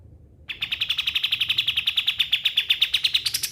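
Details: After a short silence, a pied triller starts a rapid, steady series of sharp high chirps, rising slightly at the end; offered as a tutor for mastering songbirds.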